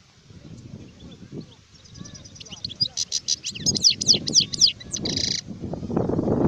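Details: Adult European goldfinch from 2019 starts with soft ticking, then sings a loud series of fast sweeping twitters and a brief buzzy note, while murmuring voices and low rumbling noise grow louder toward the end.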